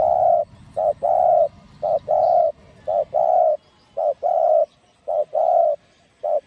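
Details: Spotted dove singing in the field-voice style with driving coos, used to stimulate and lure other doves; low mellow coos in short and longer notes, grouped into repeated phrases about once a second, over faint background hiss.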